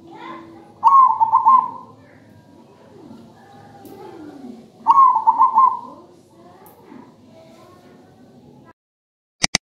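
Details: Two rhythmic, melodious phrases of pulsed, trilling coos from a local zebra dove, five seconds apart, over a constant low background murmur; sharp clicks sound at the very end.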